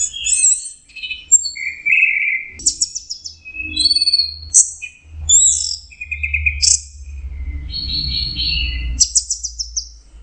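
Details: Orange-headed thrush in full song, delivering a rich varied medley of high whistles, rapid trills, buzzy notes and slurred phrases in quick succession, with low background hum.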